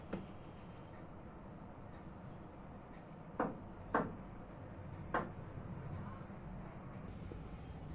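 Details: A few soft knocks and clatters over a low background hiss, with no animal calls.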